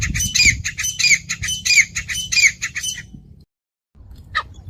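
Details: Grey francolin (Francolinus pondicerianus), call.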